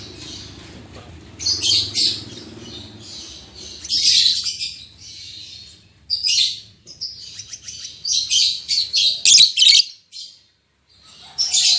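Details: Pair of lovebirds, albino MM male with lutino MM female recently matched, calling in quick shrill chirps and scratchy squeaks, clustered and repeated about three times a second, over a faint low hum.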